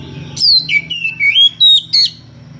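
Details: Oriental magpie-robin (kacer) singing in loud ngeplong style to call a rival: a quick string of clear whistled notes, some sliding down, others level, with a low hum behind.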